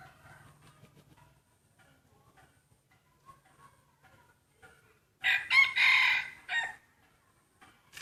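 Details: Rooster crowing contest with main breeding cocks, held for fun: after several quiet seconds with faint distant clucks and low hum, a single loud, harsh crow bursts out in stuttering segments, lasting about one and a half seconds.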